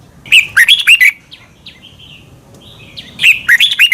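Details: A red-whiskered bulbul in Thailand gives two bursts of bright, liquid, warbled phrases of about five rapid notes, with softer thin whistles between them; the song is played to teach other birds.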